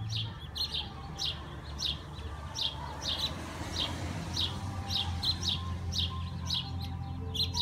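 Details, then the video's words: Several sparrows chirping from a persimmon tree following heavy rain. Sharp, high, clipped notes repeat irregularly, nearly twice a second, some overlapping, above a constant low background drone. "Chirping sparrows"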